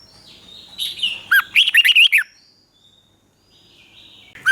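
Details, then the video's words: Red-whiskered bulbul from Thailand, southern master-style song for stimulating caged birds and teaching young birds: quiet warbling rises into a loud, quick sequence of springy whistled notes, another phrase starting at the end. "เสียงนกกรงหัวจุก สำหรับต่อ หรือ เปิดให้นกคึก เสียงเพราะๆ"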